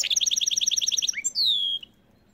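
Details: Caged goldfinch x canary hybrid in winter, delivering an evenly repeated rolling trill of about a dozen bright notes, followed by a long, clear whistle that slides slowly downward before fading.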